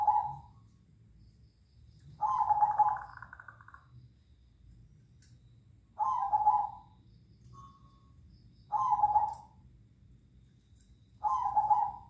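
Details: Zebra doves calling back and forth at night give soft, purring coo phrases, each about a second long, repeated every two to three seconds. A low hum sits underneath.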